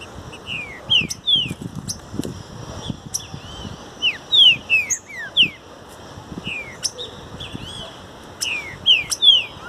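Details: Green-winged saltator song in a natural setting, used for song training: rapid series of sharp whistled notes, mostly slurred downward, given in bursts, with soft low thumps and rustling underneath.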